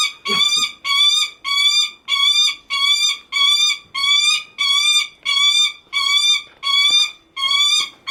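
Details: Lanner falcon held in a bird park in Kakegawa, Japan, crying out steadily because it wants its keeper to pay attention; rasping, nasal, level-pitched calls of about a third of a second, given at an even pace of roughly one and a half per second.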